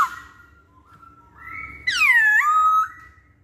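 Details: Masked laughingthrush giving long sustained whistles, a level tone stepping upward, then a loud downward-sweeping note that flattens into a steady whistle and fades; quiet low hum behind.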